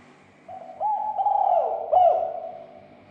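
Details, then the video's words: Spotted dove call meant to rouse other doves into emotion and calling; a soft, blurred phrase of two or three low coos rising in loudness, over a steady faint hum. "SUARA PERANGSANG TEKUKUR AGAR SEGERA EMOSI DAN BUNYI"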